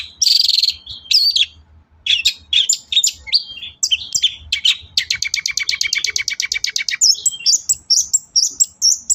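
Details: Long-tailed shrike song as a lure to make shrikes sing: harsh buzzy notes and mixed chirps, then a long fast rattling series of clicks, ending in thin high whistles.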